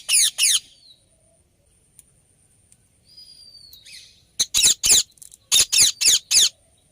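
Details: Indian ringneck parrot giving loud, harsh, rasping screeches: a pair of bursts at the start, then two rapid series of four or five short screeches each. Faint thin whistles sound between them.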